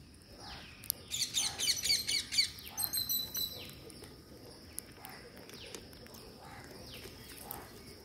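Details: Green parakeet during feeding, giving a burst of rasping, scratchy high squawks in quick rhythmic pulses, then falling quiet while soft descending chirps of other birds continue behind a constant hiss.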